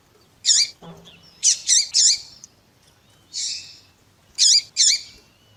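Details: Female Double-collared Seedeater (coleiro) calling beside a tui-tui singing male: short harsh buzzy chip notes, some in quick pairs, spaced irregularly, with a faint low hum and a brief knock in the background.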